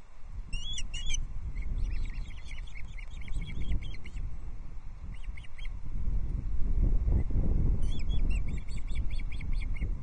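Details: Osprey chicks calling during feeding at a Loch Arkaig nest on 14 June 2024, a dominant chick bullying a sibling while another feeds on trout. Scattered bursts of high, rapid piping chirps are heard against loud wind and rustling rumble.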